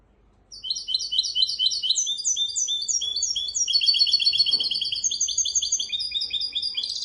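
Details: A goldfinch x canary hybrid's teaching song for young goldfinches and canaries: a long unbroken sequence of rapid, high, repeated slurred notes, changing phrase types every second or so, with faint clicks.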